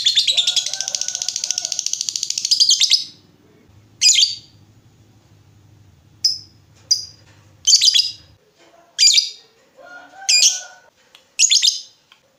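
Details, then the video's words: Lovebird, a lure recording meant to make other lovebirds answer; a long harsh buzzy chatter opens, then short sharp squawks recur every second or so, with a faint low hum in the background. "Pancingan Lovebird Gacor Burung Lakbet apapun pasti Nyaut Ngekek"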